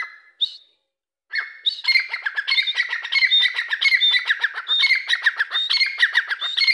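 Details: Grey francolin giving a brief whistled opening, a short pause, then a long run of rapid, harsh, rhythmic notes, about one per second in phrases of quick squawks, loud and close, with a quiet background.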